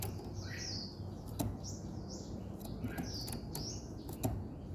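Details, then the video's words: Morning bird song: a run of high whistled notes that slide up and down in short phrases, repeated several times, with occasional sharp knocks and clicks behind them. "Buổi sáng nghe chim hót chơi"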